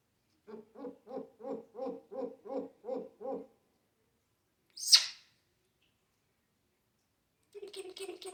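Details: Captive African grey parrot mimicking household noises and laughter: eight short, evenly spaced hoarse pulses over three seconds like a chuckle, then a sharp high squawk, and a brief burst of similar pulsing at the end.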